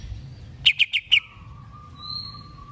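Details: Four sharp, ringing notes in fast sequence from a greater green leafbird being prepared for a singing contest, followed by a long steady low whistle and a fainter high tone.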